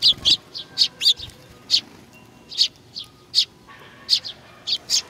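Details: At Tenmangu shrine in Nakanoshima, 21 June 2020, sparrows come for food, giving bright, high chirps in irregular pairs and singles, with a brief low thump near the start.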